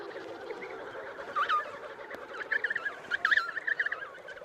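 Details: Emperor penguins at the Cape Crozier colony in Antarctica call across the busy colony: overlapping warbling, trumpeting notes rising and falling, with louder bursts near the end over a steady crowd murmur.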